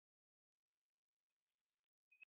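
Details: Black-throated green warbler: a long, high, thin whistle that holds its pitch, then drops briefly and ends with a short, higher buzzy note. The background is quiet.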